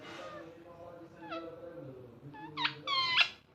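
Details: Pet ringneck parrot talking: soft, voice-like drawn-out mutterings give way to a burst of sharp, harmonic squawks at the end.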